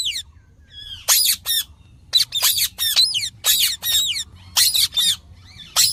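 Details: Green parrot uttering a series of loud, grating screeches in short bursts roughly every half second, with brief downward-sliding chirps in between.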